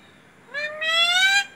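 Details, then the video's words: Talking parrot saying "mummy" once: a short first syllable, then a longer, louder second syllable that rises steadily in pitch, clear and harmonic against a quiet background. "मम्मी बोलने वाला तोता"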